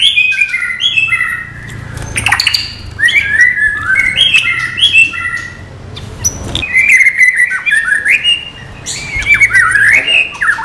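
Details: White-rumped shama fill-in song (isian) as non-bubbling training material: continuous varied whistled phrases, sharp high notes and stepping runs, fast and inventive over a faint low rumble.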